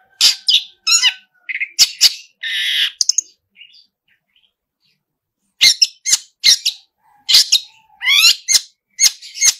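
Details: Long-tailed shrike singing hard with mimicked fill-ins: scratchy notes and a harsh buzz, a quiet gap of about two seconds, then a renewed burst of sharp ticks and rising slurs.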